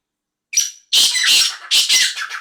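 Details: Black francolin, recorded 5/8/2023, giving a brief thin opening note followed by a rapid series of loud, rasping, scratchy phrases packed closely together, with no other sounds around them.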